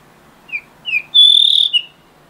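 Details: Late-afternoon song of a blue rock thrush, taken with a shotgun mic in stereo: two short rising whistled notes lead into a long, strong, slightly wavering high whistle, ending with a brief clipped note; background otherwise quiet.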